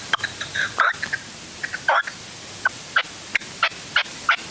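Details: Red-legged partridge used as a hunting decoy in the hills of Huelva, Spain, on a January 2023 afternoon: scattered harsh grating notes, a few louder bursts, then short clipped calls spaced about every third of a second.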